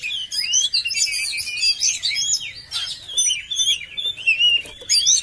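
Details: Loud, dense song of an Oriental magpie-robin: rapid tumbling whistles and twittering notes, some buzzy bursts, delivered in quick runs with brief pauses, recorded close in quiet surroundings.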